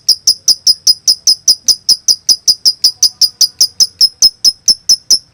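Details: Master recording of lovebird konslet song, meant to spark singing in stuck or learning birds: regular stream of crisp high clicks, about five a second, clean and evenly spaced.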